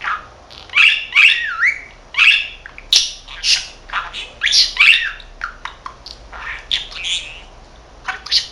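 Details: Thirteen-month-old male pet budgerigar chattering away to himself; he talks in Korean and Japanese. Rapid raspy, squeaky syllables and warbled chirps come in quick bursts about every half second, with speech-like rhythm.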